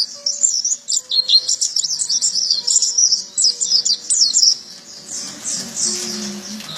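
An Oriental white-eye pours out a fast, high, jumbled twittering for about four seconds, then trails off into softer, scattered chirps over a faint background hum.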